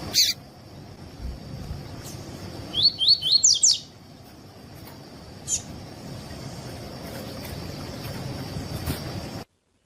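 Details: A double-collared seedeater gives its tui-tui song style, used to teach and warm up other seedeaters. An opening click leads to one phrase of five quick, sharp, upward-slurred whistles near the middle, then faint clicks and a thin, constant high tone.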